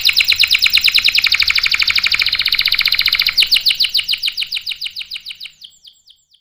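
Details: Canary song for coaxing and tutoring young and non-singing males: a dense rapid trill of repeated notes that loosens into spaced, downslurred notes, slowing and fading toward the end.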